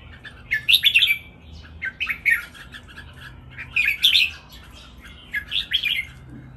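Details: Caged red-whiskered bulbuls singing in a training session: bright, chattering whistled phrases in bursts roughly every one to two seconds, with some quieter warbling between phrases.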